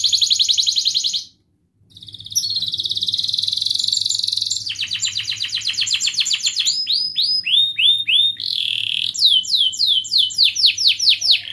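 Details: Canary song used as a training lure for lazy canaries: rapid high trills and repeated rising whistled syllables in fast tours, with a brief pause near the start.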